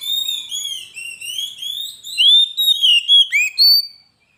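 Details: Lure and training song of a gacor Oriental magpie-robin (kacer): a flowing series of bright, slurred whistles, then several loud, punchy notes and a final rising whistle, all in a clean, quiet recording.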